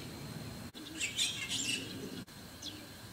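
White-cheeked starling giving a burst of harsh, squeaky chattering notes over about a second, then a lone thin rising squeak, against a low outdoor rumble.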